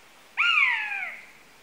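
A buzzard gives one drawn-out, mewing cry that starts high and slides downward over less than a second. The background is otherwise quiet.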